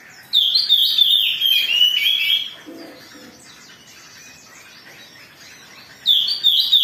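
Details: Agitated Oriental magpie-robin song meant to provoke singing: a loud wavering phrase sliding downward over two seconds, a quiet pause with faint distant chirps, then a fresh loud phrase begins.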